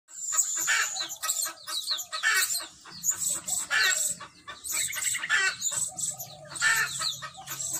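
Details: Blue-crowned hanging parrot (Loriculus galgulus), decoy calls: luring other birds in.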